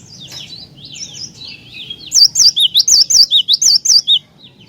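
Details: A cinereous tit sings to provoke other tits: softer sweeping chirps lead into one loud, rapid series of about ten bright, up-and-down whistled notes lasting around two seconds.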